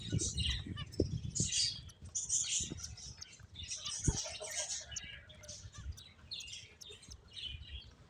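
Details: Playing finches give a softer scatter of high, squeaky chirps over a steady low rumble, with occasional clicks and knocks.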